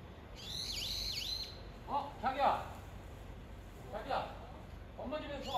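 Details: Brown-eared bulbul calling for its mate with a strident squeal that dips down twice, followed by a man talking nearby in several short bursts.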